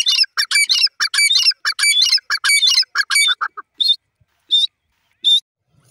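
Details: Grey francolin pair with female voice, known locally as dakni teetar: a fast run of loud, harsh, ringing notes repeated about every third of a second, then a few isolated high squeaky notes after a pause.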